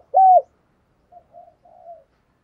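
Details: Decoy spotted dove calling in the morning to attract wild doves: one strong bent coo note followed by a few soft, faint murmuring notes, then quiet.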